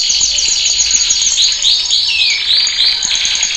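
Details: High-volume canary training song from a male: dense, fast trills with sweeping upward and downward slurred notes layered over a constant high ringing tone.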